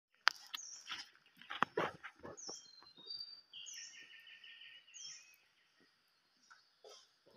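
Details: White-rumped shama used as a decoy bird, singing varied high whistled phrases with fast trills and clicking notes, pausing near the end; a few sharp clicks and low knocks sound beneath.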